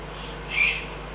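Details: A single soft, hoarse, high call from a Eurasian eagle-owl in the Eifel, recorded 22 June 2012, rising and fading within a quarter second above a low steady hum.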